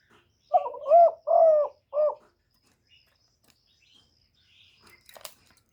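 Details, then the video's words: Spotted dove kept as a decoy, cooing to stir up and attract other doves, filmed live with no added noise: four low, hollow coos in a quick run lasting under two seconds, then near silence with faint distant chirps and a short click. "Tiếng chim cu gáy mồi chuẩn kích bổi mỗi ngày, tiếng cu gáy gọi"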